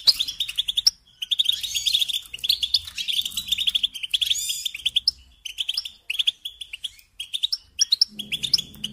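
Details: Kept goldfinch song: bursts of fast tinkling twitter separated by brief pauses, some nasal buzzy notes mixed in, and a faint low hum late on.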